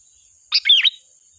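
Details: A single rich, bubbly warbled phrase, rising then dipping, from a chatty sooty-headed bulbul singing sharp 'tembakan' song as a lure, with a faint steady high whine behind.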